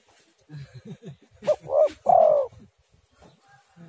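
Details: Spotted dove calling as a lure for other doves: several soft low hoots lead into a sharp short note, a rising-falling coo and a long, buzzy descending coo, followed by quiet.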